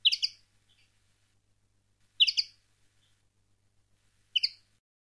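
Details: Campero-style common linnet song meant for educating young birds: three quick twittered bursts of chirping notes about two seconds apart, each a tight cluster of high chips, over a quiet background with a faint low hum.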